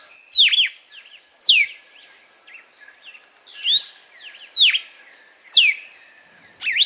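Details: A red-cowled cardinal (Paroaria dominicana) sings the 'açoite' song type with loud, slurred whistles that swoop up and down about once a second. Softer chirps come between them and a faint steady high hum runs behind.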